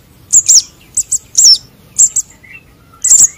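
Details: Lure recording of juvenile sunbirds, konin and sogon: piercing high chips and short slurred notes in uneven clusters, with a brief lower whistle heard faintly in the gap before a final double chirp.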